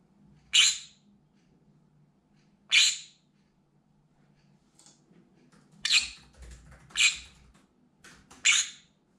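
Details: Loud, desperate screaming of a pet green-cheeked conure indoors, reacting to sounds or birds outside its window: six rough, shrill shrieks, the first two widely spaced, then a faster cluster, with faint thuds in the room.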